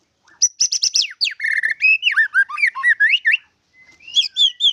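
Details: White-rumped shama (murai batu) song with isian fill-ins: a burst of sharp high ticks, a steady whistle, then a series of bouncing, rising and falling whistled notes. After a short gap, softer, higher twitters follow.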